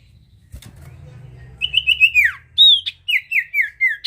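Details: Lively songbird song used to lure other birds: a string of loud, clear whistled notes, each sliding downward, some long and drooping, delivered in quick succession above a faint low hum.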